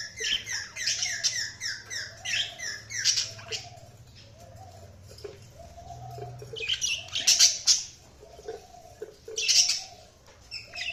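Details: Budgies chirping with rapid repeated downward-slurred notes and raspy chatter in loud bursts, while a lower soft cooing-like note repeats about every second throughout; faint low hum underneath.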